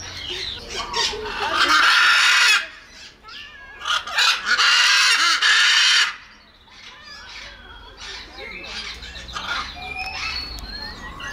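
Two long, harsh, raspy macaw screeches, each about two seconds, followed by quieter chattering squawks and thin whistles.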